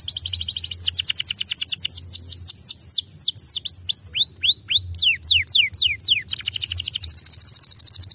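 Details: Singing canary, played to stimulate other canaries to sing, delivering long tours of rapid repeated downward slurs, some deeper and slower, and a high fast chattering trill at the end.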